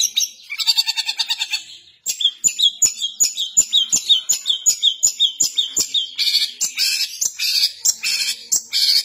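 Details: Gacor long-tailed shrike firing harsh 'nembak kasaran' phrases: a short buzzy opening, then a steady run of sharp high chirps nearly three per second, ending in rough, rasping bursts.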